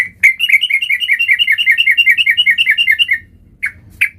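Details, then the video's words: Long, steady train of about twenty quick, falling chirps from a sooty-headed bulbul in full-variation 'gacor' song, followed by two isolated sharp notes. "Burung Trucuk Gacor Full Fariasi"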